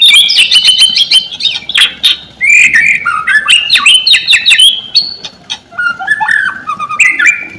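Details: White-rumped shama singing a varied, rich song used to stir quiet shamas into answering: fast sequences of high whistles, harsh clicks and chips, descending and rising slurred phrases, continuous throughout.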